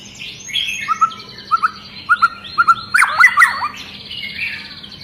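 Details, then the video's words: White-rumped shama, long-tailed, worked up and prompting others to sing: paired clipped notes repeated about every half second, then a rich tumbling burst of whistles over higher overlapping phrases. "Murai Batu Ekor Panjang Ngamuk Dan Bikin Burung Murai Lain ikut Gacor"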